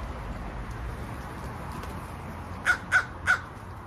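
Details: Crow producing three short, sharp caws in quick succession after a stretch of quiet background noise.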